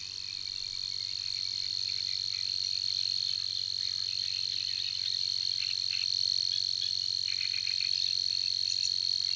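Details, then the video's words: At Tancat de l'Illa a Savi's warbler delivers its persistent song, a monotonous insect-like reel that grows slightly louder over the first seconds and then holds steady, with faint scattered chirps behind it. "BUSCARLA UNICOLOR en el Tancat de l'Illa - Parte 2 | 🎵 CANTOS DE AVES"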